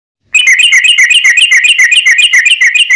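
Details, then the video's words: Yellow-vented bulbul giving a long, rapid, unbroken run of bright chattering notes, about eight a second, used as a lure to make other bulbuls sing. "trucukan gacor tarung ROPEL PANJANG"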